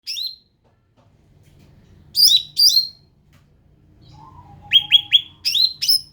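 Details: Ruby-throated bulbul, an endemic species, singing: bursts of sharp, high downslurred chirps in pairs and triples, with a short lower whistled note midway and faint low background rumble.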